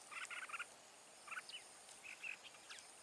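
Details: Wild-caught red-whiskered bulbul, a big-bodied, big-throated bird with a strong wild voice, kept for trap fighting; clusters of short nasal, stacked notes in quick bursts, then a few brief whistled slurs, over steady background hiss.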